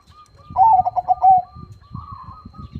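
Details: Crossbred zebra dove (perkutut) singing eagerly with a big voice. One loud phrase of about six quick, pulsing coos falls slightly in pitch, followed by a soft trailing coo. Low rustling and thumping noises sound underneath.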